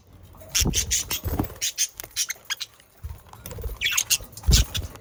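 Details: Pet budgerigars in the Den Haag region, Netherlands, recorded to stimulate other budgerigars to sing: dense run of rapid high chirps and scratchy chatter, pausing briefly, then resuming with rising notes and a loud thump.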